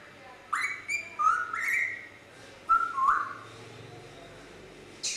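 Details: Grey parrot producing a string of clear whistled notes, some rising and some falling, in two bursts with a quiet gap before a final short note.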